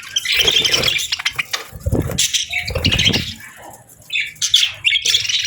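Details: Morning budgie chirping in short bursts of high, twittering chatter, separated by soft low thuds and rustles, with a quieter gap before the bright chirps return.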